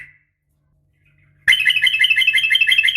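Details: Rapid fighting call of a female sooty-headed bulbul summoning the male. A faint note at the start, silence, then a sudden dense stream of fast, scratchy repeated notes running steadily to the end.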